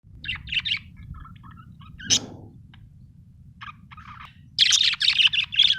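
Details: Budgerigar, described as happy, giving a few short bursts of bright chirps, sparse and separated by quiet gaps, with a louder run of rapid warbling chatter near the end over a low steady hum.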